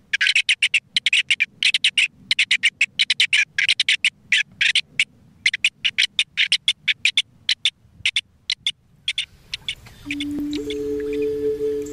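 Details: Rock partridge heard in spring during a census by song in the Isère mountains, France: rapid series of sharp, clipped, loud chattering notes in bursts, ending with a steady low electronic tone.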